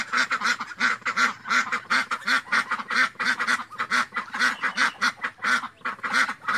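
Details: Duck quacking in quick succession, harsh nasal notes following one another closely with brief gaps, a few calls overlapping.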